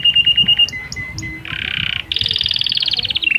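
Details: Canary song for stimulating females to breed: thin whistled notes and chips, then a harsh buzzy roll followed by a loud high rapid trill.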